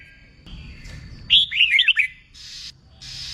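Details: Red-whiskered bulbul in contest-song training, a single brief phrase of four or five loud, looping whistles, with hissing background noise before and after.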